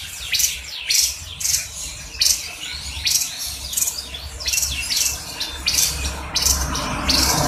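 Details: Javan grey-throated white-eye song used for training other birds, short high chirping phrases about every second, some squeaky notes, over a steady low hum.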